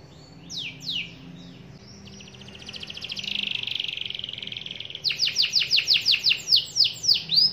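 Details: Canary in full song, calling a rival so that it joins in: falling whistled notes, a loud sustained buzzy roll, then a fast run of sharp descending notes repeated about four times a second.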